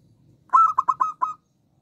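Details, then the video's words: Local zebra dove (perkutut lokal) with a small, high voice, singing actively: five quick cooing notes in one burst, the first drawn out and the rest short and evenly spaced, over a quiet background. "Perkutut lokal gacor suara kecil"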